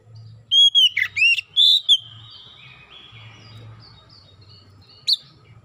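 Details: Lure recording of an oriental magpie-robin singing to get birds to sing: an opening string of loud looping whistles, then soft trailing notes and one sharp high note near the end, with a background hum.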